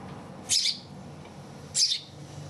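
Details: Hand-reared house sparrow chick, found on the street at about two to three days old and raised indoors; two loud, short, high chirps about 1.3 seconds apart over a quiet room background.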